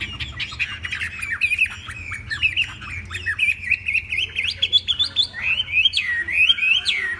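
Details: A tame Chinese hwamei keeps up a dense, energetic chatter of short whistles and slurs, rising into louder sweeping notes toward the close.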